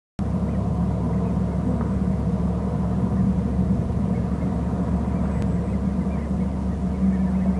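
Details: Steady, loud low vehicle engine rumble throughout, with no animal calls heard.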